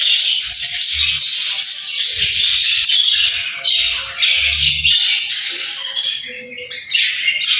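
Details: Busy, nonstop chirping from a group of small birds: high, harsh squawky chatter mixed with quick twittering notes, with a faint low thudding underneath.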